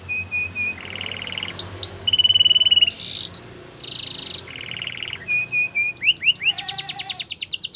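A Belgian canary sings a fast, varied run of rolling trills, buzzy tours and bright rising whistles, each phrase repeated several times before switching.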